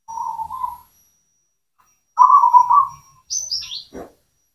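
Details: Zebra dove of local cemani type singing to encourage reluctant doves: a soft trilled coo, then a loud rolling phrase, followed by quick high descending chirps from another bird and a brief thump.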